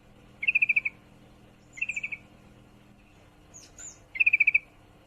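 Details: Yellow-vented bulbul female in heat calling to a male, giving three rapid strings of clipped, ringing chirps, five to seven notes each, about two seconds apart, with a couple of faint higher squeaks between them.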